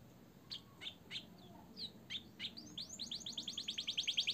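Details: Caged canary, singing in a chattering style filled with blackthroat and sanger phrases, recorded as training material for other birds: quiet, spaced chirps at first, then accelerating into a fast run of bright rising upsweeps that grows louder toward the end.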